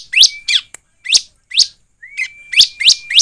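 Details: Bar-winged prinia lure recording: loud, rising chirps roughly every quarter second, laid over a thin, flat whistled tone that holds through much of the phrase.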